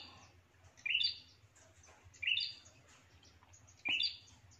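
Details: Lure call of a bar-winged prinia for drawing in rivals: three separate sharp, high chirps, each a quick descending flick with a buzzy edge, spaced about a second and a half apart against quiet background hiss.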